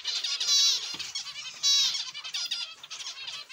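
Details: Zebra finches kept in an aviary, giving strong nasal beeping notes with bright harmonics, two prominent louder calls about a second apart amid steady lower chattering from other finches.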